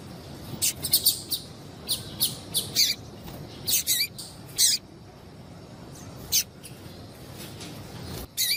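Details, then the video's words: Calling female double-collared seedeater used to stimulate males: bursts of piercing short chirps, several in quick runs, then a pause of a few seconds before isolated notes resume; low background hiss throughout. "Fêmea de papa capim louca piadeira levanta até defunto"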